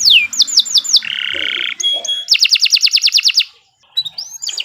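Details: Canary song recorded as a tutor for birds: falling slurred notes, a low buzzy roll, a fast series of repeated notes about ten per second, brief silence, then rising whistles.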